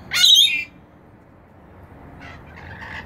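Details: Rainbow lorikeets bathing in a bird bath on a balcony: one loud, harsh, buzzy screech lasting half a second, then softer scratchy chatter near the end over a quiet background.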